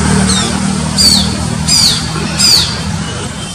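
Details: Shikra calling in the wild from a high roadside tree in Mysore, mobile-phone recording: piercing, downward-sweeping notes, one faint then three strong at regular intervals, over constant traffic hum.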